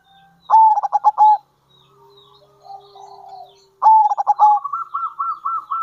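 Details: Zebra dove of a local strain, calling to lure other zebra doves: two bursts of rapid, staccato, stuttering notes, the second running into a string of soft, evenly spaced rolling coos.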